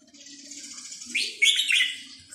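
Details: Red-whiskered bulbul, counting-flowers (sai nap dok) song style, a brief bright whistled flourish rising out of a soft hiss, with a faint steady low hum throughout.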